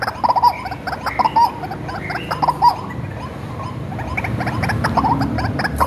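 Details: White-breasted waterhen reared in captivity from small, used as a lure: several harsh croaking bursts in the first half, then softer, fainter chattering notes over a low rumbling background.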